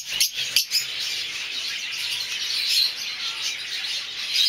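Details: Several masked lovebirds in mauve, olive, cobalt and dark-factor violet varieties give a steady wash of sharp, high-pitched twittering chirps, with two louder knocks near the start.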